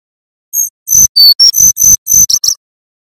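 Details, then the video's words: ['Male brown-chested jungle flycatcher from Banten with nyuling whistled song for training other birds. It gives about nine loud, separate, high whistled notes at a brisk uneven pace, most on a similar pitch, with two quick notes at the end.'] "Suara Burung SRDC Banten Nyuling Terbukti Cocok Untuk Masteran & Pancingan Sikatan Rimba Dada Coklat"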